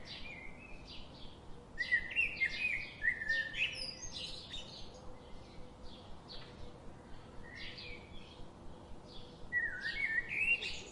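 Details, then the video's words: Several daily garden visitors chirp busily, with dense overlapping chips and short twittering phrases, livelier at the start and end and sparser in between. "The chirping sound of these daily visiting birds"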